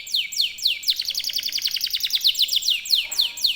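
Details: Canary (kenari) in extended rolling song, the style called ngerol: a few falling whistled swoops give way to a dense, very rapid high trill, then slower descending sweeps return.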